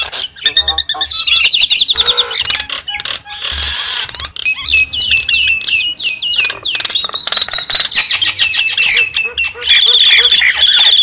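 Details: Javan myna lure call made of a dense jumble of harsh squawks, clicks, twangy downslurred notes and high whistles, ending with a steady high trilled note and short low pulses.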